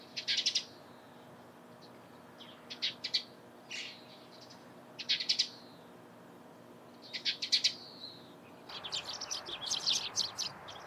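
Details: Eurasian tree sparrow chirping in the morning: short, harsh, high chirps in small clusters every second or two, with a louder cluster near the end over a sudden rise in steady background noise.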